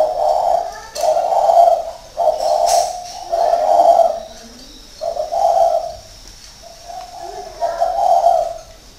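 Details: Spotted dove in a cage at an aviary in Ba Vì, Hanoi, a six-year caged decoy bird; a run of rich, low, hollow coos in close succession, then a pause and several softer trailing coos, with faint background clatter.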